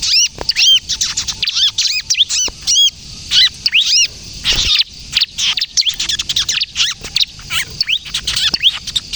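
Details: Kejepit song from a ciblek kristal, or bar-winged prinia, used for trapping lures and to get other prinias singing: crisp, high, arched chirps in fast runs broken by short pauses, with a rougher rasping patch midway.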